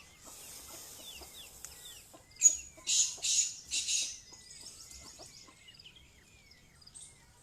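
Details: Female black francolin uttering three or four harsh, breathy bursts midway, while thin chirps and twitters from small birds fill the background.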